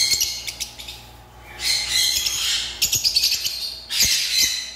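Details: Farm lovebirds calling: harsh, noisy squawking bursts alternate with short pauses and sharp clicks, several birds screeching together in shrill, grating waves.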